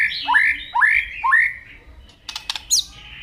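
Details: Morning white-rumped shama phrase of three similar slurred whistles, each sweeping up and then levelling off, followed by a few sharp clicks and a short high note.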